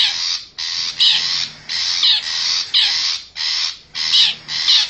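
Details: Long-tailed shrike from the forest, wild, lure call meant to bring wild shrikes near: loud grating screeches in short separated bursts, roughly two per second, each rough and noisy with a slight downward sweep.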